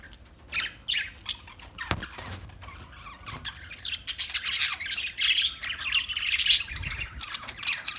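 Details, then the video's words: Parakeet chirping: scattered high, harsh chirps and squawks, sparse at first and then a denser run of overlapping chatter in the second half, over faint low rumble. "Birds Parakeet Sounds Parrot Chirping Sounds"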